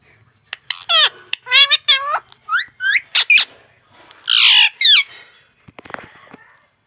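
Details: A talking parrot repeating mummy and papa in a rapid run of squawky, harmonic syllables. Many sweep downward and are bunched in pairs and triplets. A longer, harsher burst comes near the end, and a woman's voice says mommy nearby.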